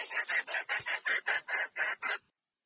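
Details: Hen red junglefowl calling a male to come and mate, giving nine harsh, evenly spaced raspy notes about a quarter second apart, steady in loudness, then silence.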